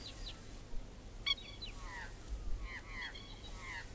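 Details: Masked Lapwing, here called Spur-winged Plover, in Australia gives harsh, scratchy, downslurred notes in short ragged bursts, about one burst a second, over a low steady rumble.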